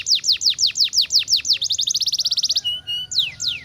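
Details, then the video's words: Canary song from a kicau mania recording: rapid repeated downslurred high whistles, about six per second, then a faster rattling trill of short notes, ending in a steady tone and falling sweeps; faint low background hum. "KICAU MANIA "KENARI""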